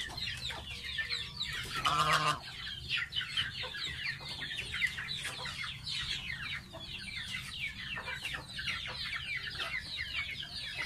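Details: Pet gosling taking a bath, with one loud nasal honk near the start, then steady high, thin descending peeps overlapping throughout, and a few knocks.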